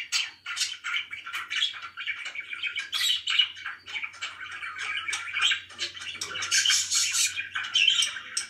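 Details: Pet budgerigars sound happy here, giving continuous overlapping chirps and warbles, busy and scratchy, with a faint low hum underneath.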